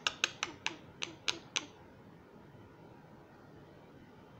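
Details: Seven sharp tapping clicks come in quick succession, followed by quiet room tone, with no animal voice heard.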